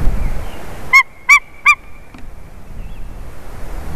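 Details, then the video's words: White-tailed eagle at a favourite tree during a changeover, 30 March 2019: three separate loud yelping notes a third of a second apart, then quiet background. "Jūras ērglis Haliaeetus albicilla"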